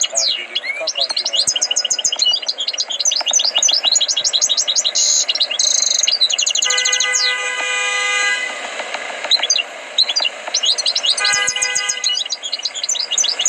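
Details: European goldfinch, tutored to sing, pours out long bursts of high liquid twitters and buzzy trills, while a steady, honking, horn-like tone sounds twice in the background.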